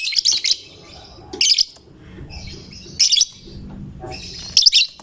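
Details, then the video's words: Caged lovebird, a fighter-type bird said to prompt any other lovebird into singing, gives loud bursts of shrill, high chattering notes roughly every one and a half seconds, with quiet low room noise between bursts. "Lovebird GACOR Fighternya Memancing LB manapun Ikut Bunyi"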